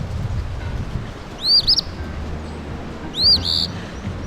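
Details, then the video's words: Eastern phoebe song, said to say its own name: two short, buzzy, rough two-part phrases about one and a half seconds apart, high-pitched, over a low background rumble. "I mentioned earlier that the eastern phoebe says its name. See if you can hear it."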